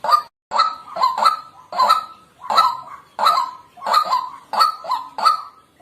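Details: Repeated coarse, nasal honks from a white-breasted waterhen, delivered in a steady rhythm of paired and single notes, roughly ninety calls per minute throughout; the background is otherwise quiet.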